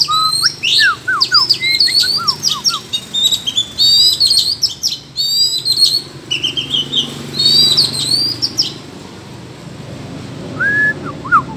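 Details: Oriental magpie-robin dueling in the forest: busy high chirps, trills and upslurred whistles fill the first eight seconds, while lower falling whistled notes from another bird repeat alongside.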